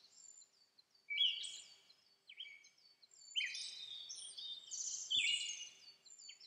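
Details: Siberian thrush, an uncommon summer visitor, in Urahoro, Hokkaido, Japan on May 24, giving thin, high whistled notes and quick twittering phrases in two bursts a couple of seconds apart, with a quiet background.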